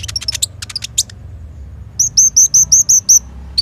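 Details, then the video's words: Brown-throated sunbird in lively full song with rapid bursts: scattered quick high ticks and chips, then a row of seven very high, clear, slurred whistles repeated evenly about every fifth of a second. "KONIN GACOR FULL ISIAN TEMBAKAN"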